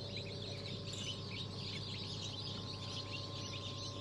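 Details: Newly hatched chicks from a mixed hatch of Habeş, Sultan, İspenç, Ayam Cemani, Fizan and bantam Cochin breeds, December 2022. Dense, overlapping high peeps come continuously over a steady low machine hum.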